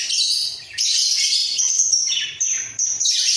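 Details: Two budgerigars kept in a breeding cage chatter busily while bobbing their heads, giving a continuous high, buzzy warble broken by a few sharp breaks and clicky notes.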